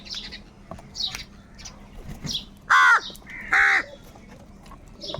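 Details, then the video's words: Crows fighting for food give two loud, hoarse, drawn-out caws about a second apart, over soft background chirping from other birds. "Crow birds loudly crowing sounds - কাকের ডাক Crow Sound | Kaka sound and noises of crow birds"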